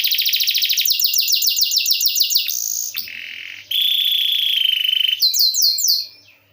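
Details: Canary singing as a training model: rapid upswept notes in series, a brief high whistle, then a long low rolling trill and a final run of sweeping notes fading out.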